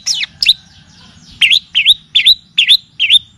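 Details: Cendet or pentet (long-tailed shrike) song played as a training lure alongside kapas tembak and cililin song. Loud, dipping whistled notes are repeated roughly every half second, each a quick falling-then-rising sweep.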